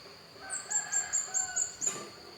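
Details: Javan white-eye of the dakun type from Pupuan, Bali: a short run of about six thin, high, sweet notes repeated quickly over a steady high hiss.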